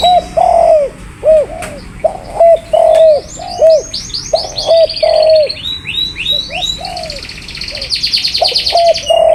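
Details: Spotted dove giving low, arched coo notes in short bursts, with a brief pause midway. Higher chirps and trills from other small birds overlap the middle and end.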